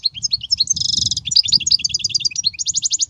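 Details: European goldfinch song used to teach young goldfinches: a fast, dense run of bright twittering notes, liquid trills and short buzzy rattles, with quick rising and falling whistles throughout.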